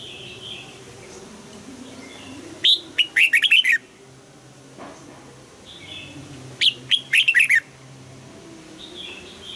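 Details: Red-whiskered bulbul practising morning song in the double-note mature wild style; two matching phrases about four seconds apart, each an upslurred whistle followed by a fast run of four or five chirpy notes.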